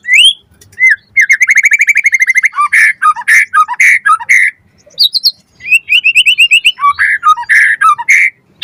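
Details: White-rumped shama song used as a lure to make other birds answer and sing fully: loud whistled phrases around the upper-middle range, a fast rattling trill, then rich repeated slurred notes with varied ornaments.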